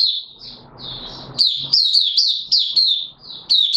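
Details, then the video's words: Kept white-eye opening into song, not yet in full condition, recorded 9 May 2022; bright, high twittering phrases run together rapidly with sharp chips, after soft background rustle early on. "Mata Puteh Raja V1 buka sing not full condition yet"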